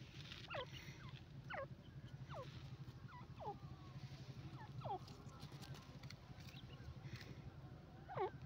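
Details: Grey francolin: a series of sharp, high notes sweeping steeply down, repeated roughly every second, over a steady low engine-like hum.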